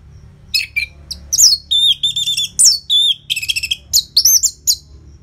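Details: Orange-headed thrush in dense, loud song used as a lure for caged birds: a busy, varied jumble of chirps, warbled whistles and fast trills with almost no gaps, over a faint low hum.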